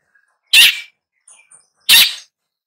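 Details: Long-tailed shrike: two loud, scratchy, broadband rasps about 1.4 seconds apart, with a few faint, thin, high chirps between them.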